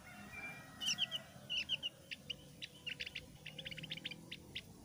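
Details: Javan grey-throated white-eye, a thick-browed bird, sings clear and chattering in a lure recording meant to draw other birds into song; short high chirps and twittering notes come in quick irregular bursts over a low background hum.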